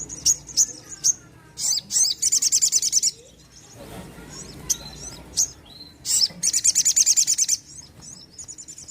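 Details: Sogon, a bird that sings freely. High, sharp chips alternate with fast, even, very high trills lasting about a second each. A short, quieter pause sits mid-clip.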